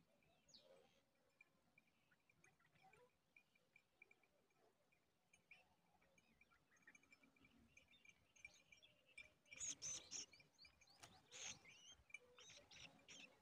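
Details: Large woodshrike at a nest crowded with many chicks: faint, thin high chirps repeating quickly, then a louder burst of squeaky, scratchy notes near the end.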